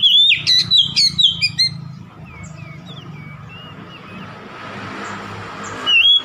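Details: Oriental magpie-robin song used to provoke a rival: a quick loud run of whistles and sweeps, then soft, distant downslurred notes over hissy background, and a final bright whistle.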